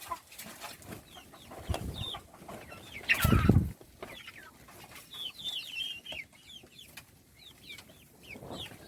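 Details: Chicks being fed: a flock peeps in quick, high, falling chirps, clustered in bursts, with one loud low thud midway and light scratching noises.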